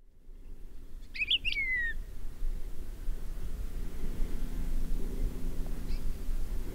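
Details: An endangered Palila on Hawaii's Big Island gives a single brief whistled phrase of a few notes, sliding downward, over a steady low rumble of wind.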